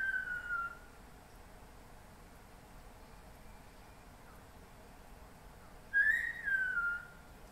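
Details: A MacGregor's bowerbird (Amblyornis macgregoriae) sings in rainforest in Papua New Guinea: clear, slurred whistles falling in pitch, a short phrase, then after a five-second pause a rising-then-falling one, over soft forest hiss.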